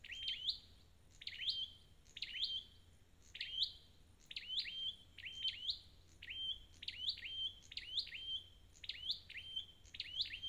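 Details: Red-headed flowerpecker, a wild-caught bird, delivering a steady stream of high, sharp flick notes, each falling then rising, about one per second or faster for ten seconds, in a quiet background.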